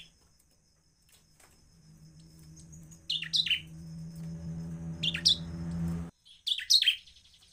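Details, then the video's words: Bar-winged prinia (ciblek), a lively singer, calling to provoke other ciblek into sounding: three short bursts of sharp high chirps, around three, five and near seven seconds, over a low steady hum that stops abruptly. "ciblek semi Cristal gacor Cepat memancing emosi ciblek agar bunyi."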